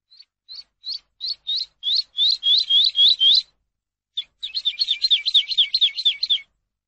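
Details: Skylark song for tutoring captive birds: a run of repeated rising whistled notes, each louder than the last, then a brief pause and a fast, buzzy, jumbled trill. The background is silent.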